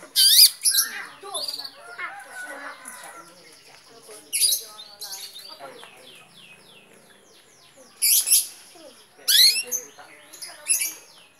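A long-tailed shrike sings a rambling, varied song of quick whistles, chatters and slurred notes, broken every few seconds by loud harsh bursts.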